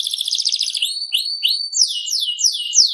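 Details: FI series canary singing: a short buzzy trill gives way to a series of slurred, rising-then-falling whistled sweeps repeated about every half second.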